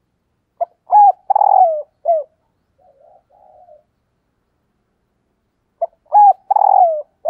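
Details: Spotted dove (Spilopelia chinensis), coo call: female calling to attract males.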